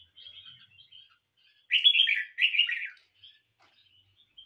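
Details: Kept Red-whiskered bulbul singing in a competition: soft, thin whistled notes at first, then a loud burst of two rich, warbled, chattering phrases lasting about a second, followed by faint scattered high notes.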